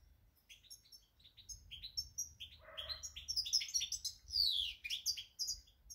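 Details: Goldfinch song recorded 8 February 2020. Sparse tinkling chirps accelerate into a rich, fast jumble of buzzy trills and descending liquid twitters, about one note per second at first.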